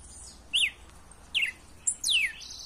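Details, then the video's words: Red-cowled cardinal song for stimulating a captive male: four whistled notes, short arched and down-slurred, spaced irregularly over a steady hiss of background noise. "CANTO PARA ESQUENTAR FOGUEAR SEU GALO CANTAR CANTO 💯 SELVAGEM LEVANTA SEU GALO AGORA."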